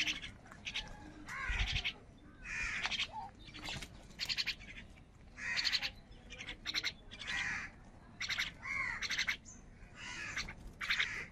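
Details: Crows competing for food produce a ragged series of rough, grating caws, short bursts following each other irregularly, roughly a dozen in eleven seconds.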